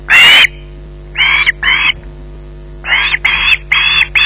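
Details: An osprey holding a fish at its nest at Loch Garten lets out one very loud screech, then a pair of grating cries, a pause, and a faster run of four harsh calls.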